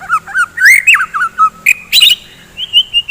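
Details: In the morning, a white-rumped shama sings to spur fighting birds: a string of looping whistled notes, sharp harsh bursts, then clear drawn-out high whistles.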